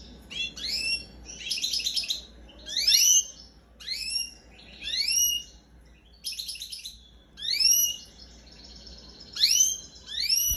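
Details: A 19-day-old young European goldfinch gives bright, high calls with sharp upward-sweeping notes. They come in bursts roughly every one to one and a half seconds, with short buzzy, rattling chatter between them.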